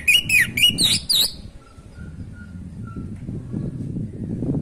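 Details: Orange-headed thrush song played to rouse a bird lacking breeding drive: rapid looping whistled notes for about a second, then a few soft, thin, even tones against a steady low-pitched hum.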